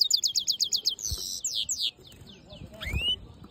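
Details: Black-hooded yellow siskin mule opening with a rapid series of loud, high chirps, then a few rasping sweeps and soft fading notes, closing with a single rising whistled call.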